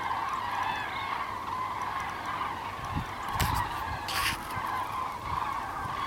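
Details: Migrating common cranes flying south, 9 November 2014; many birds calling together in a continuous chorus of rolling trumpeting notes, interrupted by two short bursts of broadband noise near the middle.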